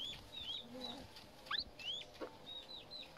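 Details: Himalayan monal chick producing soft, thin peeps, mostly high and gently falling, with one louder rising note midway and a faint lower murmur underneath, all quietly recorded.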